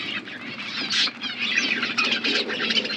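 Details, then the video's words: Aviary budgies in a forest environment chatter softly, many bird voices blending into continuous warbling and chirps over a low background rumble. "Budgies parrot in forest environment aviary birds chirping sound"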